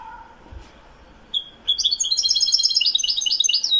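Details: European goldfinch of the Widani type, recorded in Morocco in 2021, singing: a brief pure note, then after a short pause a fast, continuous twittering run of bright, high chirps and trills that grows louder toward the end.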